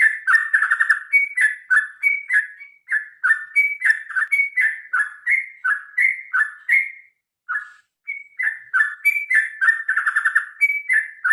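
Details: Sooty-headed bulbul, locally trucukan, delivering a long vigorous fighting song meant to encourage birds to sing often: continuous bubbling whistled phrases, fast and repetitive, dipping in pitch, with a brief lull before resuming.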